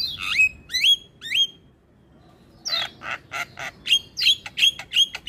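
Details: Morning song of a Javan myna, a tutor recording for young birds: three clear whistles swooping down then up, a brief silence, then a rapid string of harsh rasps turning into loud whistled chirps.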